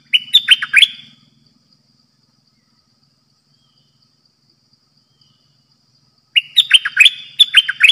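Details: A caged red-whiskered bulbul used as a decoy bird gives two bursts of bright, bubbling, warbled notes, one at the start and one near the end, with quiet in between.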